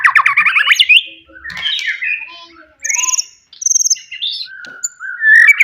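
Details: White-rumped shama from the forest singing loudly to provoke rivals: a burst of rapid rising chattered notes, then scattered high trills, buzzy notes and clear whistles.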